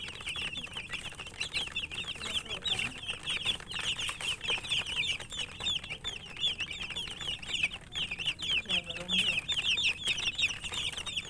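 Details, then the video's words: A brood of chicken chicks peeps constantly while eating: high, thin chirps overlapping without pause, with faint pecking and a low cluck near the end. "Murgi chicks Chirping sounds"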